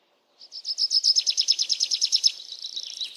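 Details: Birds chirping amid nature sounds: a single bird delivers a fast, even trill of high chirps, about six per second, fading into a softer buzzy tail.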